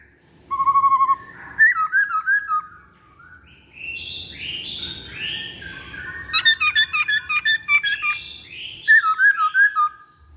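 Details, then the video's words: Black-throated laughingthrush song used to lure birds: varied warbled whistles and bursts of fast repeated chirps, with the phrases changing pitch throughout. "Pancingan Poksay Hongkong Paling Ampuh"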